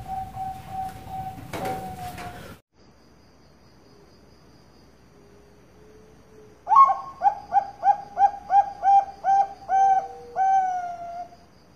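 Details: Farm-kept perkutut bangkok, a zebra dove type, from Kroya in Cilacap, Central Java, Indonesia. A rough burst of noise and a soft coo come first, then after quiet a quick string of about eleven melodious hollow coos.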